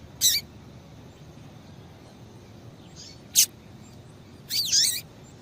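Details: Female double-collared seedeater giving calls meant to excite a male into singing. Short, high, sharp chirps come irregularly: a quick note, a faint one, a crisp click-like note, then a longer, warbled, twittering burst near the end.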